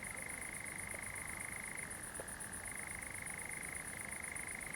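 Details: Common nightjar singing at night on 7 July 2020 in a pine wood at Zamudio, Txorierri, Bizkaia: a continuous mechanical churr that dips briefly lower in pitch midway, then returns, over a steady high insect buzz.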